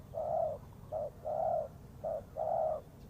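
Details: Spotted dove kept as a trapping lure: a brief run of mellow coos alternating long and short notes, low and even, over a soft background hiss.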